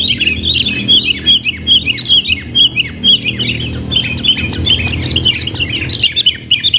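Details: Sooty-headed bulbuls at a decoy trapping site: a busy, nonstop chatter of short, sharp chirps, several notes per second, rising and falling slightly, with a steady low background hum.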